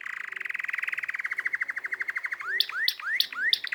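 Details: Singing canary delivers a fast even trill that slows into separate pulses, then switches to four loud upward-sweeping whistled notes spaced about a third of a second apart.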